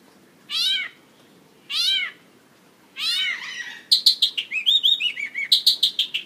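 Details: A Mongolian lark singing and dancing on a stage gives three arched, mewing notes about a second apart, then breaks into a fast run of high, varied chirps and trills.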